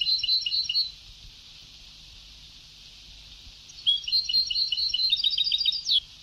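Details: Sebtaoui-style song of a European goldfinch from an old tape: a brief twittering burst, nearly three seconds of quiet hiss, then a lively run of varied chirps and trills ending on a rising note.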